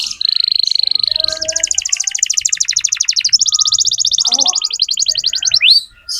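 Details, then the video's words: Canary song from a vigorous lure bird, used to tutor young canaries: a level whistle, then long rapid rattling trills in two stretches, ending with a rising sweep. "Masteran kenari muda dengan pancingan kenari gacor"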